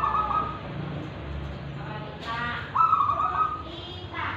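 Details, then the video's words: Zebra dove of local wild stock in Tulungagung, a lively singer with crystal and ulem voice: two short, quavering coo phrases, one at the start and one in the middle, with faint voices and background rumble between them. "GACORAN Perkutut Lokal Alam Dengan Suara Ulem dan Kristal"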